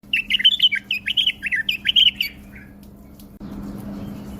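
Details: A bulbul singing with a wing-flutter display, tame enough to spar with the hand, gives a fast run of about fifteen bright, chirpy whistled notes over two seconds, then falls silent under a low hum and background hiss.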